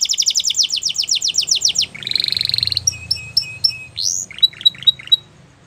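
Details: Belgian canary song opening with rapid falling whistled notes, then a dense buzzy roll, clipped repeated notes, an upslurred whistle and short sharp chips.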